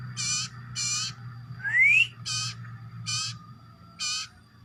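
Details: Common iora uttering a strange, hoarse call: short raspy, broadband squawks repeated roughly every 0.8 seconds, with one clear whistle sliding upward between them, over a faint low background hum.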